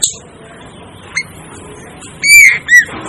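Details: Mostly quiet, then an Asian glossy starling gives two loud, harsh, squawking notes in quick succession near the end, after a faint earlier chip.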